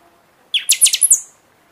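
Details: Buffy-fronted seedeater singing in season, used to stimulate caged birds after their moult: a single short high phrase opening with a low buzzy note, then four or five rapid sharp, very high whistled strokes.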